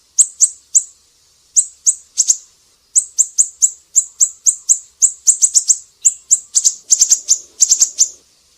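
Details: Lively siri-siri song used to train other cage birds: rapid series of thin, high, clipped chip notes, mostly in groups of two to five, growing denser and more hurried toward the end.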